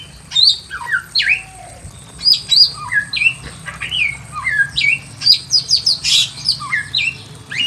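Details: A Pekin robin in a simple aviary gives bright, varied whistled phrases, rising and falling notes in quick bursts about every half second, with a faint low hum beneath.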